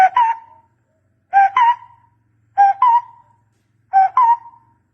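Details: Barbet call for luring with a decoy: paired notes, a short lower hoot then a higher one with a trailing fade, repeated every 1.3 seconds or so. A faint low hum sits underneath.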